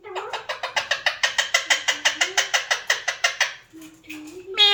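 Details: Alexandrine parakeet imitating speech, here a fast, even train of about eighteen sharp pulsed notes in three and a half seconds, followed by a short low call and a loud rising squeak at the end.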